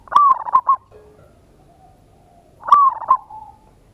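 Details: A local zebra dove gives a loud lure song to make other doves answer, ngayer kerot nutut style: a quick stuttering cooed phrase with clicky notes, a pause, then a second phrase fading into a soft trill.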